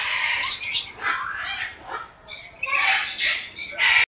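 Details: Brown lory calling with loud grating screeches and raspy squawks in uneven bursts, a brief quieter gap midway, then more harsh shrieks ending in a sharp high note.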